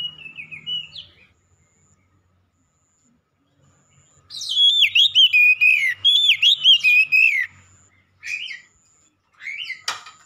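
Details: Oriental magpie-robin, black-breasted type, singing hard: a short whistled phrase, a long silence, then a burst of rapid, ringing, downward-slurred whistles, ending with two brief scratchy phrases and a click.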